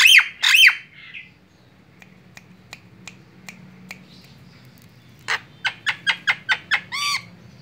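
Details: Lure calls of a white-eyed Javan myna meant to draw in other birds: two loud raspy squawks open, then soft scattered ticks, then a quick series of sharp clicks ending in a buzzy harmonic note.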